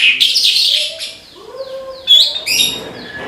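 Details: Australasian bush lark, called branjangan, in vigorous song: a scratchy, buzzy high phrase, then softer sliding whistles dipping lower, followed by a sharp bright burst of chattering notes.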